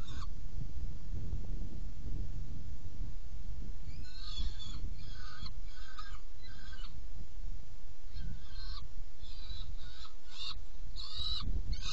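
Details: Saker falcon nest box, feeding on 17 June 2018 at 10:31: after about four seconds of low rumble alone, scratchy, harmonic calls start in irregular bursts and turn more frequent toward the end.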